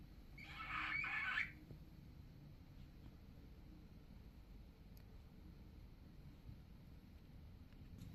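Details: A young female white-fallow pet cockatiel whose voice is still changing gives one harsh, raspy screech lasting about a second, then falls quiet; the owner is unsure why she makes it.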